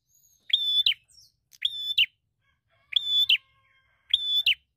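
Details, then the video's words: Fighter bar-winged prinia looking for an opponent: four sharp, flat, ringing notes with clipped ends, spaced about 1.2 seconds apart. "Prenjak Gacor Fighter Cari Lawan"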